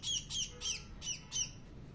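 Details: Five shrill, downslurred squawks spaced about a third of a second apart come from a hungry bird begging to be fed by hand, with little else in the background.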